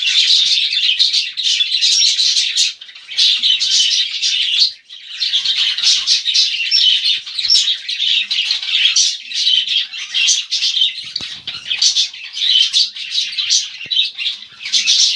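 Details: A cockatiel being bathed gives a steady run of shrill, chirping calls over the hiss of spraying water.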